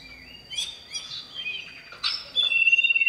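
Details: A singing male common iora calls to a female, offered as a lure sound for other birds: sharp chirps and rising slurred notes, ending in a long steady trilled whistle.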